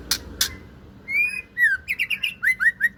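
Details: Female white-rumped shama of the Aceh type, kept as a cage bird, opens with two sharp clicks, then sings clear whistled notes: a long level whistle, a downslur, and a quick run of short slurred phrases.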